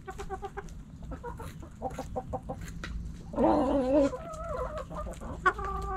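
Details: Hens and roosters in a backyard flock, pecking and scratching: rapid clucking throughout, with a louder, wavering drawn-out call just past the midpoint, then more clucks.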